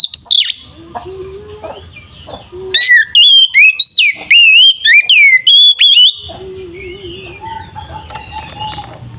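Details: Energetic magpie-robin song meant to provoke rival birds to fight: after soft background chatter, a three-second burst of loud, ringing whistles that slide and loop between high and mid pitch. Low chirping continues afterwards.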